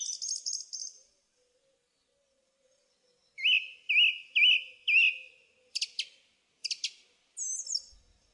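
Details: Song thrush song beginning with a thin high chatter, then a rolling whistled note repeated four times, followed by sharp clicking notes given twice and a high twist.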